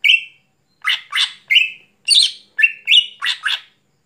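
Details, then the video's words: At night, a greater green leafbird in full song gives rasping, scratchy notes mixed with flat whistled tones, about eight loud bursts in four seconds. No other sounds. "Cucak Hijau Gacor Malam Hari"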